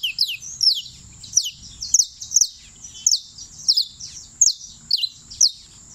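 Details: Champion creole canary in Turbo, Antioquia, giving rapid high twittering phrases: steep falling whistled sweeps, often doubled, repeated almost every half second over a quiet background.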